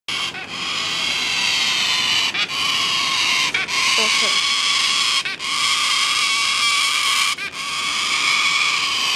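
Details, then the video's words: Yellow-crested cockatoos, wild and unafraid of people, at Lorne, where the birds are plentiful and being fed: a continuous loud, harsh, grating screech with rich overtones, broken only by brief pauses every one to two seconds. "Noisy cacatua at Lorne"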